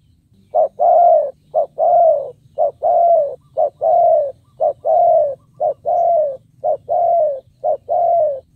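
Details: Spotted dove decoy bird cooing to lure wild doves: loud low hooting phrases, each a short coo followed by a longer falling coo, repeated steadily about once a second through the clip, with a faint low hum beneath.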